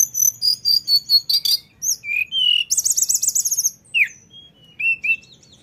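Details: Lesser shortwing singing in the rolling 'ngeroll' style: rapid high chirps and short slurred whistles, then a fast buzzy trill of about a second, ending with falling and upslurred whistled notes over a faint low hum.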